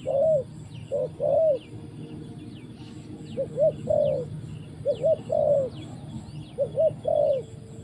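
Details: Spotted dove during trapping, soft coo phrases of paired short notes and a longer note, repeated several times against a low background rumble and thin high chirps of other birds.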